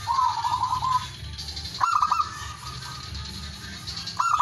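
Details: A rival-calling male zebra dove, played as a lure, ends a rolling trill, then begins two more coos with stuttering staccato notes, over a continuous low hum.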